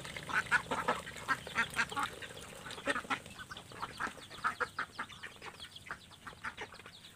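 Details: Several ducks quacking noisily while competing with each other for food after being fed: dense bursts of harsh, nasal quacks in quick succession, loudest early on, then thinning into scattered softer quacks.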